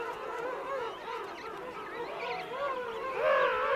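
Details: Close-up adult king penguins calling amid a colony of adults and chicks, Right Whale Bay; dense chorus of warbling, frequency-modulated trumpet calls overlapping, with a louder rising call swelling near the end.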